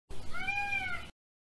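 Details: Indian peafowl giving a single loud, drawn-out, nasal wailing call of about one second, with rich harmonics and a slightly arched pitch, in otherwise quiet surroundings.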